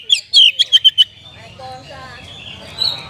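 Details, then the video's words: Short burst of oriental magpie-robin song in a sooty-headed bulbul style: about six quick, piercing high chirps, followed by faint, soft warbling and low background noise. "ISIAN KACER PALING BERBAHAYA HOT 🔴 KACER RASA KAPAS TEMBAK ORIGINAL SOUND"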